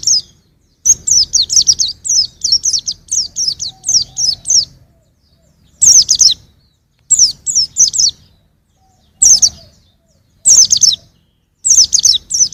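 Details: Young white-eye singing in 2021: bursts of rapid, very high, thin chirping notes run together in quick phrases, with short silent pauses between bursts and faint low background hum.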